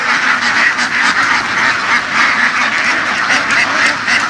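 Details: Herded laying ducks in western Vietnamese fields, a crowded chorus of harsh overlapping quacks with short brighter bursts standing out every half second or so.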